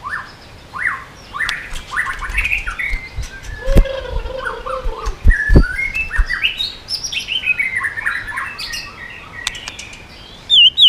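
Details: White-rumped shama pouring out swiftlet-style song with rapid shifting phrases and tail flicking to provoke rival birds; varied whistled and warbled phrases at shifting pitches, broken by occasional low thumps and background noise.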